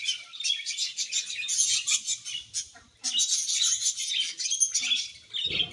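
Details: Happy colony of budgerigars chirping: bursts of high, rapid twittering and scratchy warbles, a brief quiet gap at about three seconds, then the chatter picks up again.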